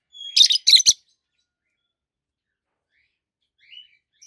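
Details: Two healthy adult caged peach-faced lovebirds, both green, one red-faced and one yellowish white-faced, chirping: a burst of harsh, high, buzzy chirps in under a second, then near silence with a faint squeak at the end.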